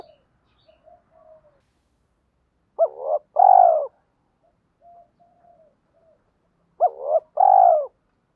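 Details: Spotted dove calling as a decoy to lure wild doves, quieter and sparser: soft scattered murmurs, then two paired phrases about four seconds apart, each a short rising coo followed by a fuller falling coo.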